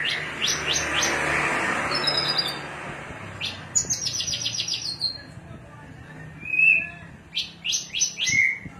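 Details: Cilacap Javan bush lark giving cing ciu song: bursts of rapid sharp high chirps and a few short trilled notes, separated by pauses, with low hum and noise in the background.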